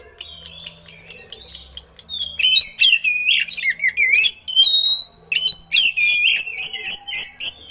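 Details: Oriental magpie-robin singing, with eagle-call imitations, as a master recording for other birds: fast ticking notes lead into loud, twisting whistles and scratchy bursts, with a brief pause before another rich phrase.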